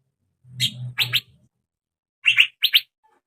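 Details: Young male Asian fairy-bluebird, heard as a lure meant to draw out its song: paired sharp chirps in two groups over a low humming background.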